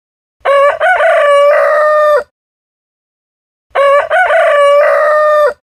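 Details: Rooster crowing in the morning: two full, loud cock-a-doodle-doo crows, each about two seconds with a broken start and long held ending, separated by a second of silence.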